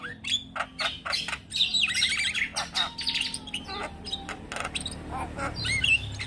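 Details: A young Javan myna's chattering song full of grating squawks and buzzy bursts, sprinkled with short whistles and chirps, loud throughout.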